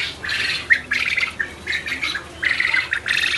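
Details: Quail kept on a farm in Abkhazia: a dense chorus of harsh, raspy squawks and chattering bursts from many birds, coming in overlapping waves of under a second each.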